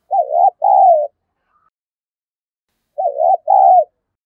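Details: Spotted dove call used as a decoy to provoke fighting: two clean, low, throaty coo phrases, each a short wavering note followed by a longer falling coo, separated by about two seconds of silence.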